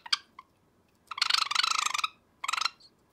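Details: A pet sakura Java sparrow, annoyed by its owner's finger at night, gives an angry harsh, rapid, buzzy rattle lasting about a second, then a shorter second burst, after a couple of brief sharp chips.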